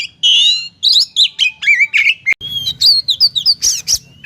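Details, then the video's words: Oriental magpie-robin song used as a tutor recording for training songbirds: loud, varied whistled phrases with rising and falling sweeps between mid and high pitch, broken by short chirps and a brief pause midway. "Masteran untuk burung Kacer"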